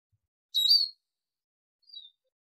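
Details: Arabian babbler call for training and hunting: one loud high chirping burst, then a fainter short whistled note about a second later, otherwise silent.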